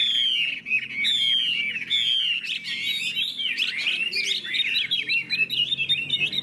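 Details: Vietnamese caged hwamei opening with long clear descending whistles, then breaking into a rich jumble of fast warbled and slurred notes in hót hét style.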